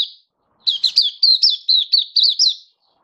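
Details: Oriental white-eye in happy open song, 24 February 2023, a kept hobby bird. A fast, continuous string of high, thin, twisting chirps, about ten notes in two seconds, clean and without background noise.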